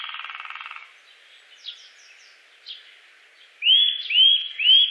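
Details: A buzzy, rattling sound opens, then faint chirps, then a Eurasian nuthatch gives three bright, rising whistled notes in a row.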